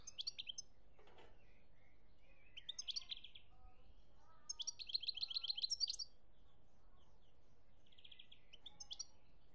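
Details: European goldfinch singing in Algeria, 2017: short bursts of bright, tinkling twitters and fast buzzy trills, separated by pauses, with a few lower scattered notes between phrases.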